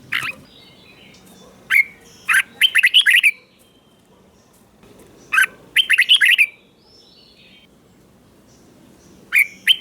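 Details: Southern master-song style of a caged red-whiskered bulbul in Thailand, meant to stimulate other bulbuls: two lively phrases of quick warbling notes with long quiet gaps and a few isolated short calls.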